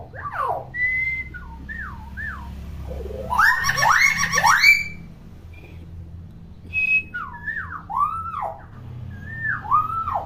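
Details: Common hill myna chattering constantly, captive bird for coaching silent young mynas; bursts of bent whistles and falling slurs, a loud harsh rising squawk in the middle, then more curved whistles with pauses between.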